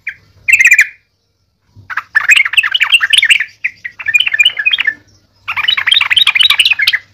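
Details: Sooty-headed bulbul used as a lure bird, singing in full voice: bubbly, chattering phrases of quick warbled notes in three or four bursts separated by short pauses, over a faint low hum.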